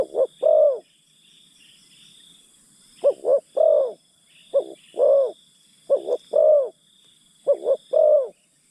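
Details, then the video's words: Luring wild birds, a decoy spotted dove repeats soft, resonant three-note coos, two short notes then a longer falling one, several times after a brief pause, with continuous insect buzzing above. "Pikat Terkukur Aksi denak memujuk burung hutan"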